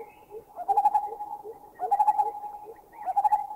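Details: Two lineated barbets: one gives a steady run of hollow, bubbling notes, then another joins with paired double-note calls, a greater coucal's whooping call fainter behind; recorded in a Thai national park (Khao Yai, Doi Intanon, Doi Suthep-Pui or Chae Son).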